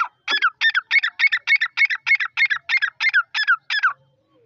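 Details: Female Dakni Irani grey francolin (teetar), one of a newly acquired pair, calling in breeding season: about twelve loud, harsh, grating notes repeated roughly three per second in one steady series, nothing else audible.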